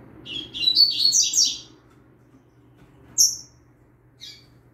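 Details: Double-collared seedeater, a young bird singing for training: a fast rising-and-falling string of buzzy high notes, then two isolated thin chips after a pause.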